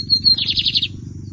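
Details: Lined seedeater, a bigodinho in song competition season 2023 in Brazil, delivers a brief high whistle followed by a rapid buzzy trilled phrase, over a steady low hum.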